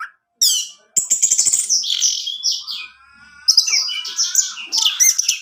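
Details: Orange-headed thrush singing to trigger song in kept males: a quick opening note, clicking rattles merging into a long run of mixed high chirps, squeaks and slurs with little pause.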